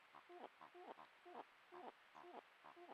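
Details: Malleefowl pair calling back and forth as their first egg of the 2024-25 season is laid on 7 September; soft, rounded two-tone clucks repeated roughly twice a second in an even rhythm.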